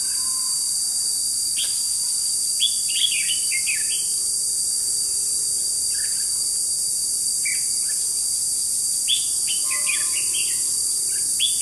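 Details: A red-whiskered bulbul serving as a decoy for trapping wild birds, 21 July 2016, sings repeated bursts of bright, quick, warbled phrases across the recording over an ever-present loud insect drone.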